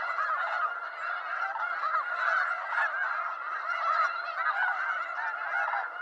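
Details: Wild snow geese, eastern North America, many birds honking at once; a steady wall of barking, nasal calls with faint peaks roughly every couple of seconds over the constant chorus.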